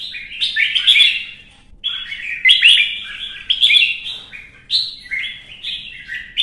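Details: Red-whiskered bulbul in heated competitive singing: repeated energetic phrases of bubbling, slurred whistles and sharp chips, each lasting about a second.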